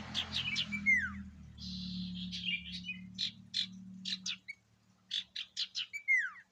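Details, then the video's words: Sirtu singing with varied fillers, used as a lure to make caged birds respond: quick chirps, slurred downward whistles and rapid repeated notes, with a steady low hum in the first two thirds. "Burung sirtu gacor Variasi Isian Siulan Paling Mewah!"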